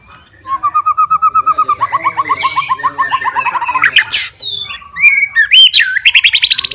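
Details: Murai batu, the white-rumped shama, in fighting song: a long, fast, even series of low clipped notes, a burst of harsh noise, then looping high whistles and a quick trill.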